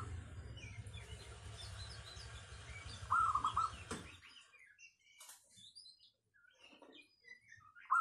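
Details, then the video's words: Local wild zebra dove with a clear, dense voice suited for luring: a brief rolling coo burst partway through and another at the end, over a steady low rumbling noise that stops halfway, with scattered high chirps from other birds. "Perkutut lokal suara cristal padet"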